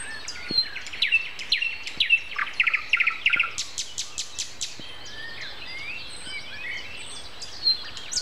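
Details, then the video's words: Nightingale singing at 7:55 on a late-April Sunday morning: a run of quick repeated chirps opens, then a burst of sharp high notes, fading into scattered softer twitters from other birds. "Morning concert. Nightingale and Со."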